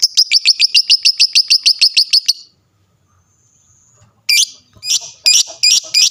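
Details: Lovebird calling to prompt other lovebirds to answer: a fast series of about a dozen sharp, high rising chirps, a short silence, then a few loud harsh squawks.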